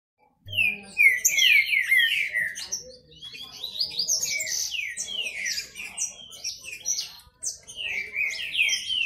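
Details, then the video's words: Kept Green-winged saltators singing against each other in a male contest: loud, clear descending whistled slurs overlapping in fast series, with higher chirps and twitters woven among them. "Esquente seu trinca ferro disputa e macheado"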